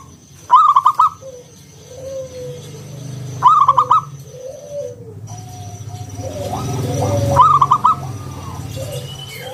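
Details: Zebra dove of local wild stock in ngalun style with round kung notes, lure for other doves; three bubbling coo bursts every three seconds, with low sliding notes and a rising low rumble later.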